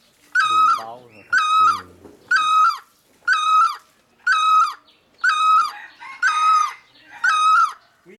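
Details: Great barbet calling loudly: a wailing, nasal note with a strong harmonic ring, repeated steadily about once a second, eight times in a row, with a faint lower voice near the start.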